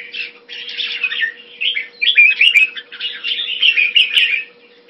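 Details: Hobby jambul, the red-whiskered bulbul, with near-continuous chattering, tumbling song phrases over a steady low hum and a couple of clicks.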